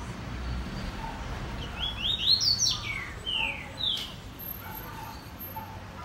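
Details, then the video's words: Coleiro seedeater singing a longer phrase of bright, rapid whistles, first rising and then slurring downward. Softer trailing notes follow over a faint, constant low hum. "Apresentação Coleiro Pen - Drive"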